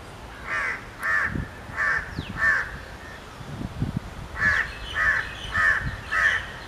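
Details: Grey francolin giving loud, ringing, slightly harsh notes in a rhythmic series of about nine, a short pause midway, with soft low thumps and background noise beneath.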